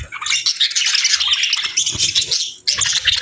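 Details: Parakeets chirp and squawk while enjoying warm food on a winter morning. Harsh, scratchy warbling fills the scene almost continuously, with a brief lull before the chatter resumes.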